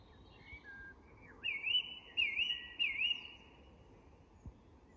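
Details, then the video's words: Song thrush at dusk in English woodland: a clear, wavering whistled phrase given three times in a row, with softer notes before and a faint dusk chorus behind. "The Song Thrush & Dusk Chorus"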